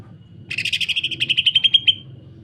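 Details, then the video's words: Fast, grating pulse train from a greater green leafbird, sung in the rough 'sewing machine' style used as a tutor and lure for other leafbirds: around fifteen raspy notes in about one and a half seconds, tapering to thinner tones. "MASTERAN DAN PANCINGAN Cucak Ijo. Kasaran Rapat Mesin Jahit dan Suara Aneh"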